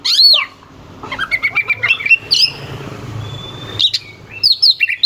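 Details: Captive oriental magpie-robin singing harsh, sharp phrases meant to goad rival birds into song: a loud rising-falling whistle, then rapid chattering bursts, a thin long whistle and more clipped notes, with a faint low hum.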